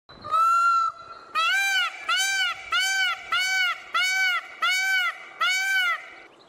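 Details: A male Indian peafowl (peacock, Pavo cristatus) gives one long, loud, nasal wail, then a fast run of seven arched, trumpeting honks about half a second apart.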